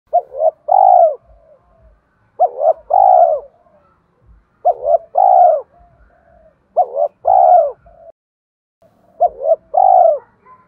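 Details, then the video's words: Decoy spotted dove in the thổ voice style singing to draw wild doves into calling: five phrases, each a quick double coo followed by one long, drawn-out mellow coo, repeated about every two seconds, with soft low knocks beneath. "Chim Cu Mồi Hót Hay, chim cu gáy kích bổi nhạy gáy"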